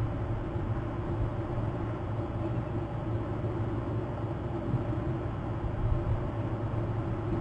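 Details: Continuous low engine-like rumble and even background hiss throughout, with no animal call.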